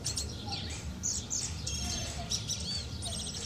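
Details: A singing thrush calls toward another bird outdoors; scattered thin high chirps and short whistled notes, including a rising-falling arched whistle near the end, set against constant low-pitched background hum.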